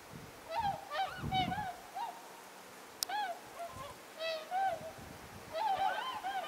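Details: A flock of whooper swans flying at night while arriving in Mutsu, Shimokita, on 15 October 2015: loud bugling trumpeting honks, several birds calling over one another in bursts of two or three notes; one sharp click.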